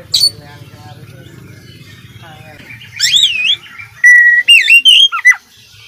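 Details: Kacer, the oriental magpie-robin, singing gacor with isian phrases: after a low murmur, a wavering whistled phrase is followed by a run of steady and looping clear whistles ending in a downslur.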